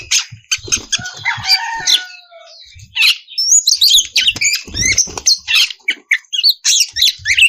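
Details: Oriental magpie-robin singing loudly and continuously, a lure meant to provoke rival birds into singing; dense high chattering notes, a few clear descending whistles in the middle, then rapid sharp bursts.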